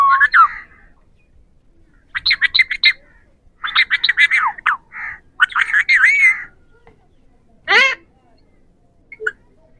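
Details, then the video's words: Three ringneck (Pahari) parrots talking in quick bursts of buzzy, stuttering chatter mixed with rising squeaks, several phrases running together, then a single sharp downward-sweeping call and a faint squeak. "3 Ringneck Parrots Talking | Pahari Parrots"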